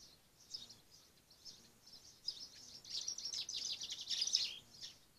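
A Blue tit gives faint, very high, thin notes in quick irregular bursts, building into a busier chatter toward the end over a soft outdoor hiss.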